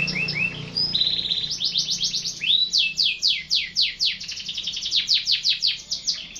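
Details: Singing canary delivering a steady stream of fast syllable rolls, about four per second, each a bright downward-sweeping note, changing tours several times over six seconds.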